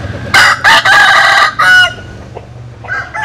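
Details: Cock crow from a compilation of Vietnamese and American Sil roosters, broken into four loud, choppy bursts within about a second and a half, then a quieter pause and a faint further note at the end.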